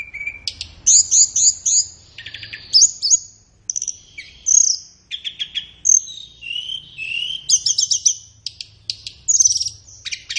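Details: Thin, very high flowerpecker song used to train caged birds, ideally in morning or afternoon: fast runs of downslurred ticks, brief piercing whistles and a few lower buzzy slurs, delivered almost without pause.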